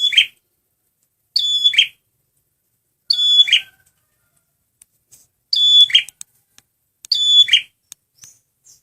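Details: Male red prinia song used as a lure: five short phrases, each a high clear whistled note that drops into a buzzy, rasping trill, spaced one to two seconds apart with silence between.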